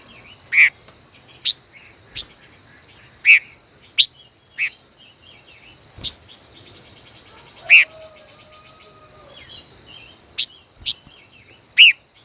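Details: Five-colored bird dueling from its cage, a decoy bird of over a year: strong clipped notes scattered irregularly, some sharper and higher, with quiet twittering and a brief low whistled phrase in the gaps.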